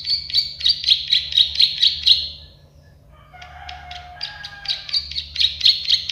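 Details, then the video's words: Plain prinia, locally prenjak sawah or klik-klik, rattling out fast buzzy clicks for over two seconds; after a pause a lower tonal sound briefly joins before the clicking series returns, rapid and metallic. "Masteran burung prenjak sawah klik-klik"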